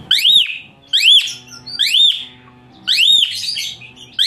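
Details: Asian pied starling song used as training material for other songbirds: loud, shrill arched whistles rising then falling, with harsh overtones, repeated about once a second with rough buzzy notes between.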